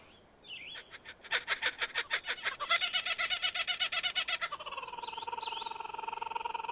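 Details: Kookaburra song that recalls human laughter: a short whistled note, then quick clipped pulses building into a fast, even rolling trill with high whistled notes over it.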